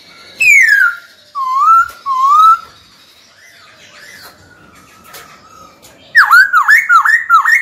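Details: Trained white-cheeked laughingthrush calling a rival to fight. A falling whistle and two even, level whistles come first, then a quiet stretch, then a fast burst of repeated ringing notes that dip and rise.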